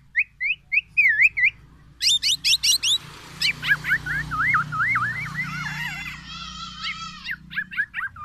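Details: Energetic black-naped oriole song packed with borrowed oriental magpie-robin material, meant to challenge rival orioles: whistled upslurs, then rapid rippling trills and wavy warbles running together, with a steady low rumble underneath.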